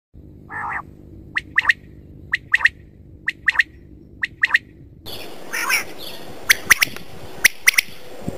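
Quail giving sharp, clipped notes in quick pairs and triplets, repeated about once a second, with a brief squawk near the start and a hissy background.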